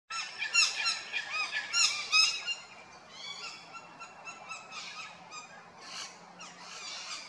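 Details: Rainbow lorikeets at Big Swamp Station, South Australia, give harsh, shrill screeches in rapid bursts, loudest early on, then fainter chattering as the flock continues.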